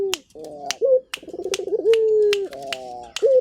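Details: Local turtle dove in full voice: short rising note, a bubbling stutter, then a long flat low coo, over repeated sharp snapping clicks.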